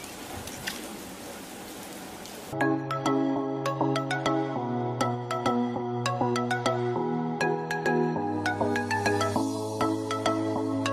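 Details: Music with steady tonal chords and plucked, percussive notes follows a couple of seconds of low background noise, with no animal voice.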